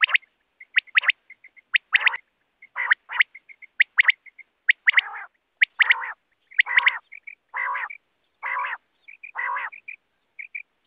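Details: Quail calling: quick three-note phrases of sharp, high whistles, mixed with harsh nasal bursts and soft chirps, going on steadily throughout.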